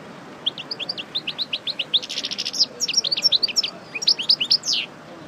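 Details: European goldfinch of the Parva type, a caged mule-breeding male fresh out of moult, singing a fast run of bright chirped and twittered notes, with clustered buzzy bursts mid-phrase and rising whistled accents near the end.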